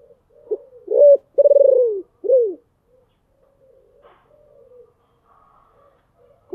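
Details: Spotted dove used as a decoy to lure wild birds, with a deep, booming voice: one loud phrase of short coo, long vibrating coo and falling end note, then quiet with faint distant sounds.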